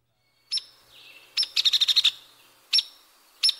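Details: Hairy Woodpecker's comparatively even-pitched rattle and sharp peek call: a lone sharp peek, then a short burst of about eight rapid level notes, followed by two more separate sharp peek notes.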